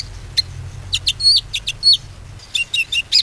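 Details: Bar-winged prinia lure song for reviving a quiet bird: varied sharp high chirps and short slurred whistles, uneven in rhythm, some notes doubled.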